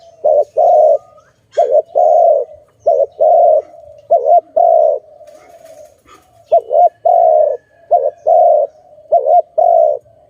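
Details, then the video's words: A dove coos steadily for ten seconds, giving about eight paired phrases of a short wavering note and a longer level coo, with faint high chirps behind. "Sound of good dove for letting altogether"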